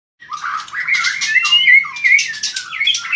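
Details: White-rumped shama singing hard with strong tail-flicking, a long-tailed bird in full fighting song; rich mix of sweet whistled slurs and harsh chattering notes, rising and falling phrases around mid-to-high pitch.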